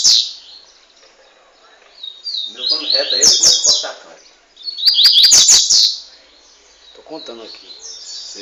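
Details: Fifteen-month-old double-collared seedeater from Montanha, Espírito Santo, Brazil, prized for speed and strength. It sings quick chattering phrases of high twittered notes in two loud bursts near the middle, with softer fragments before and after and scattered clicks.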